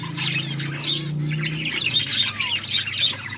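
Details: Pet budgerigars chirping during a meal; busy high-pitched twittering with short whistled notes and one downward slurred whistle, a low droning hum audible beneath.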